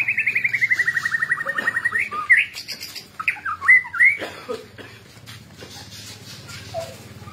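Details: White-rumped shama song opening with a fast descending rattle for two seconds, then loud varied whistled notes and swoops, fading to quieter chirps; steady low hum behind.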